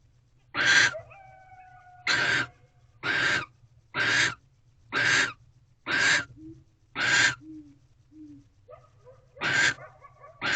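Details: Nesting barn owls in a corral owl box late at night in February, female clutching a rodent during mating; a long series of rasping hissy screeches repeated roughly every second, with thin whistled chirps and soft low squeaks in the gaps.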